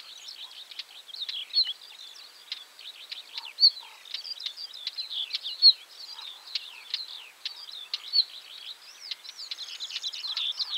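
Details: A northern wheatear (location 51.880518, 20.117200) giving calls and song: a fast, scratchy warbling of crackling notes and brief whistles, mostly high-pitched, with sharper clicks every couple of seconds over faint background hiss.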